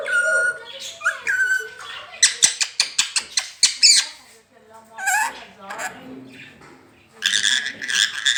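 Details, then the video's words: Rose-ringed parakeet mimicking human speech, "Mian Mitthu Chori Khani Ha": wavering voice-like notes, then a fast run of sharp clicking syllables, followed by raspy squawk-like phrases. "talking parrot speaking parrot"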